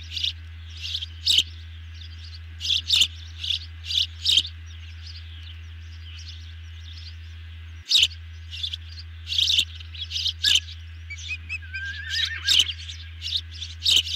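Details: Ospreys at a nest camera on 18 June 2020, evening, during a big dinner feeding. Bursts of high, sharp chirps come in clusters, with a quiet pause mid-clip, over a steady low hum and a faint constant tone.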